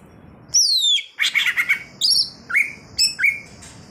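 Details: Greater green leafbird in wild "ngalas" song: a long high whistle sliding downward, then a fast chattering burst of several notes, followed by a few short, flicked whistles spaced about half a second apart.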